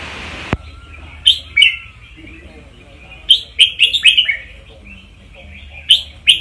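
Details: Red-whiskered bulbul singing as a teacher bird to excite listeners: a sharp click first, a faint thin whistle, then scattered cheerful chirps building into a lively cluster of bright notes, with a low background hum.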